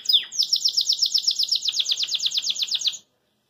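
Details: Joyful song of a caged Belgian canary: a descending whistled note followed by a long, fast, regular run of repeated chirps, roughly seven per second, ending suddenly.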